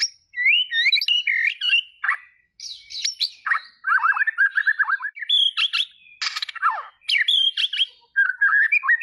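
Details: Song of the white-rumped shama: a rich, varied flow of clear whistled phrases, rising slurs, fluty warbles and harsh buzzy bursts, delivered in quick changing bursts with short pauses, loud and close.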